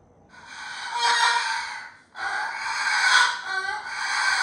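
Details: A pet cockatoo's mock 'roar': two drawn-out, hoarse, noisy shrieks, each lasting about two seconds, broken by a brief gap, indoors.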